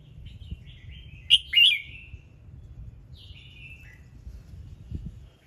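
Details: Red-whiskered bulbul in morning song meant to set other birds singing: one loud phrase of sharp whistled notes followed by a fainter falling whistle, with low rumbling background noise.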